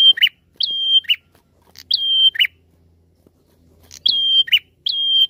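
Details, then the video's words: Prinia lure song: bright level whistles, each snapped off by a buzzy descending note, sung in pairs separated by a longer pause with faint low rumble. "Suara Pikat Prenjak Gacor"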